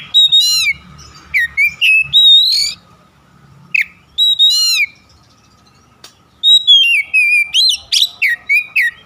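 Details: Oriental magpie-robin in rich, varied song, offered as a lure to get other magpie-robins singing. Bursts of fast chirps and swooping whistles come in groups, separated by a silent pause, with loud sharp notes throughout.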